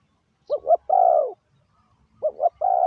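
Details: Spotted dove used as a decoy to call in wild doves, uttering a paired short coo then a longer steady coo, with the phrase beginning again after a short pause.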